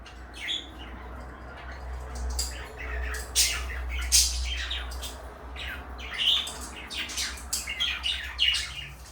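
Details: Two caged pet parakeets, one blue and one light yellow, chattering indoors with scattered squawks and chirps over a steady low hum.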